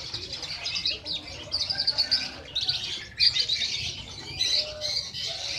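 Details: Sunbird ('kolibri ninja'), a national contest champion, pours out a high, fast warbling twitter in short phrases separated by brief pauses, with sharp squeaky accents, recorded as a master song for trainee birds.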